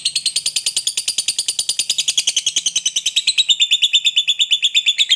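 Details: Lovebird delivering the long ngekek chatter played to make other lovebirds join in: a continuous, very fast series of shrill, buzzy notes, even in rhythm, sliding slightly higher toward the end.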